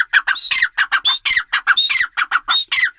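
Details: Grey francolin (teetar) in a fast, harsh, cackling sequence. Clipped lower notes mix with occasional high drawn whistles, giving a dense, almost clucking rhythm.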